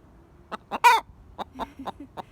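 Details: Alarmed Buff Orpington pet hen that will not settle after something was chased off: a burst of raspy squawking, then quick clucks mixed with short, low tonal notes.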